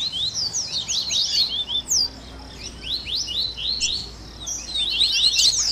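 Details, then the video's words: Captive double-collared seedeater warm-up recording: scattered groups of high, quick upslurred chirps with short pauses between bursts, ending in louder twittering. "Baderninha de Coleiro Top FAÇA SEU COLEIRO CANTAR em 30 Minutos - Esquenta de Coleirinho!"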